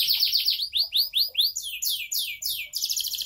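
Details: Canary praised as a tireless, unceasing singer: a dense run of rapid, high, swooping notes, each phrase repeated several times before shifting to a faster buzzy trill.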